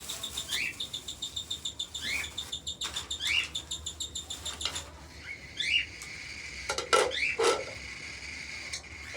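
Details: A hand-tame cockatiel chick at a birds market in Karachi, Pakistan gives rapid, raspy begging calls, repeated in quick pulses at feeding time.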